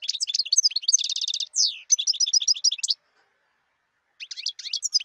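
A European goldfinch sings a fast, tinkling jumble of high twitters, trills and buzzy notes in bursts, with a brief pause before resuming.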